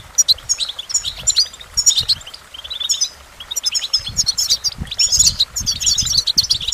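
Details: Goldfinch singing a fast, liquid twitter of high chirps and trills, phrases running almost continuously with brief gaps, over a soft low background hum.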